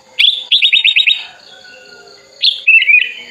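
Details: Hand-raised sooty-headed bulbul opening its wings and calling a rival: a rapid string of about seven clipped, evenly spaced chirps, a silent second, then a loud chirp and a warbled phrase; low hum beneath.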